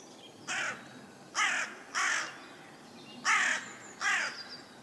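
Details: Carrion crow perched up in a tree, giving five harsh, hoarse caws, each short and rasping with a rough downward edge, spaced unevenly about a second apart, over a faint steady outdoor hiss.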